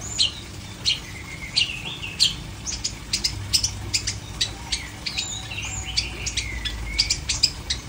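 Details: Long-tailed shrike song of sharp high ticks and chirps interspersed with brief lower whistled slides, uneven in rhythm, over background hum.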